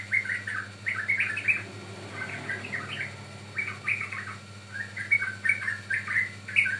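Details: Yellow-vented bulbul singing for luring and training birds: clustered, gurgling whistled phrases separated by short pauses, over a faint steady hum.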